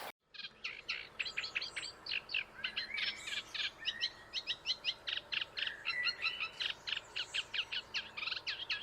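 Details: Eurasian reed warbler singing live in the reed bed on the Île de Raymond: a long, jerky chatter of rapidly repeated grating and churring notes in a steady rhythm, sustained for about nine seconds.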